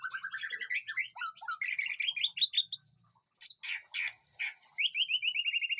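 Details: White-rumped shama singing in a backyard garden aviary: rapid rising sequences of bright whistled notes, a short pause, then harsh buzzy notes and a descending series of clear slurred whistles.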